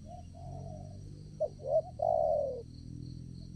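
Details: Spotted dove used as a decoy to lure wild doves into a trap at a new trapping site: soft low notes, then two short hooting notes and a long, loud, falling coo, over a steady high insect hum.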